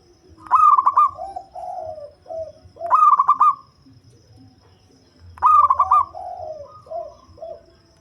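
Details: Local zebra dove with a deep, bass voice, kept as a lure bird, giving a rapid stuttering coo: a pulsed, purring burst followed by a few lower, softer notes, repeated about every two and a half seconds, three phrases in all.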